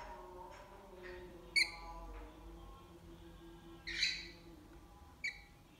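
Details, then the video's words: Lorikeet calling in the morning: three short, harsh, buzzy screeches spaced a second or more apart, the middle one longest and loudest, over a steady background hum. "Good morning by “Lorikeet “"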